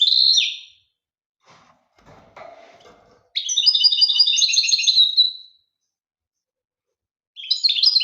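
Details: European goldfinch from Algeria: a brief chirp, faint scattered sounds, then a rapid run of bright twittering trills about two seconds long, and after silence another burst of twitters begins.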